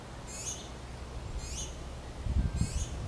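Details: Finch chicks ask their mother for food as she feeds them. Three thin, very high, falling squeaks come about a second apart over constant low rumbling noise.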